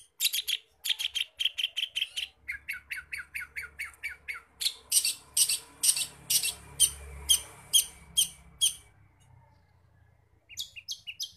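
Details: Long-tailed shrike singing vigorously, its song filled with imitated forest-bird calls: harsh, scratchy squawks repeated about twice a second in long series, a brief quiet gap, then the rasping notes resume.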